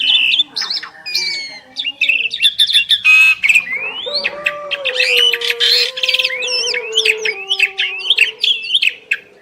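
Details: Two Asian pied starlings in duet: rising whistled slurs, harsh bursts and chatter over a sustained low droning tone lasting several seconds.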